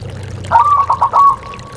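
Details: Zebra dove cooing, used in rainy season to coax a reluctant bird into singing: a short burst of rapid, stuttering coo notes near one pitch, ending in a held trailing tone, over a low background hum.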